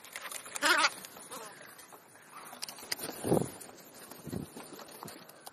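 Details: Crows feeding on a late-morning snack: one loud harsh caw, then lower, rougher croaking caws spaced a second or so apart, with faint background rustling.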